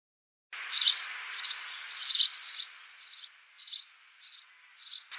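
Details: House sparrow recorded in Australia on 26 December 2015; after half a second of silence, clear chirps start, some doubled, then quieter scattered chirps toward the end, over low hiss.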